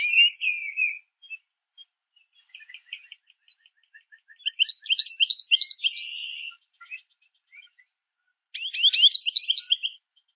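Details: American goldfinches singing and chirping while eating sunflower seeds at backyard feeders, communicating with others nearby: long bouts of rapid high twittering and buzzy trills, broken by short pauses, with overlapping voices.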